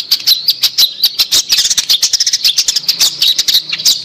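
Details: Dense, busy warbling from a long-tailed shrike in a lure recording for a bird that has stopped singing, with harsh chips and short whistles tumbling over one another without pause.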